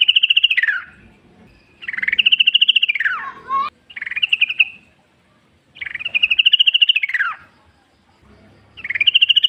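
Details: Yellow-vented bulbul, wild, a lure to set other bulbuls singing: long rapidly pulsed phrases that hold steady, then slide downward at the end, alternating with shorter buzzy bursts, about every two seconds, in a quiet setting.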